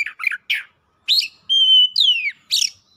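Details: Oriental magpie-robin (kacer) singing hard and heated, showing off its isian fill-in repertoire: short buzzy chirps, then a long level whistle and a sweeping falling whistle, ending in a harsh burst.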